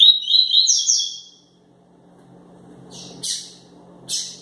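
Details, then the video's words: An excited Double-collared Seedeater gives a quick run of high, sweet whistled notes, pauses, then adds three short buzzy bursts over a faint low hum. "Coleiro quente tuitui"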